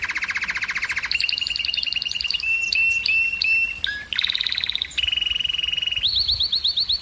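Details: Canary singing to stimulate females to breed: fast rolling tours of identical syllables, a low buzzy trill giving way to higher repeated notes, a brief drop, then a bright rising trill to finish.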